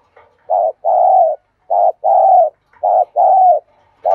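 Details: Spotted dove used as a decoy, giving the urging 'thúc bổi' call to provoke a response: low, mellow coos in pairs of a short note and a longer, fuller note, each pair repeated about every 1.2 seconds, with a quiet background.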